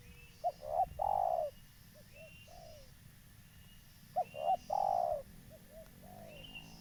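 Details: Local spotted dove, a keen caller used as a lure for trapping: two phrases of short stuttering notes swelling into a loud drawn-out coo, followed by softer trailing coos, with a faint high whistle and low rumble behind.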